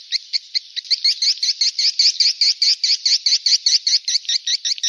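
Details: Call played to lure swiftlets: a steady, fast train of sharp high twittering clicks, roughly two or three per second, running evenly throughout.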